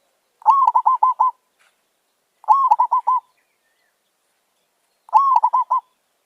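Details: Zebra dove (merbok), a wild bird answering a lure: three phrases about two and a half seconds apart, each a rising coo followed by four or five rapid, clipped notes, in a quiet setting.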